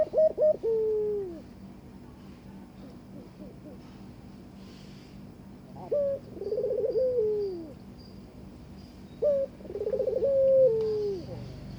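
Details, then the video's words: Courting Barbary dove calling to its mate: three separate coos, each a short clipped note followed by a throaty rolling purr that falls away, spaced about four seconds apart over a low background hum. "burung puter ngajak kawin"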